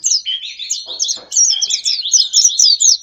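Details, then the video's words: Lure recording meant to attract wild birds: a dense, continuous stream of high, rapid chirps and twittering whistles. Two short low thuds come partway through. "Pikat ampuh,untuk pancingan burung liar"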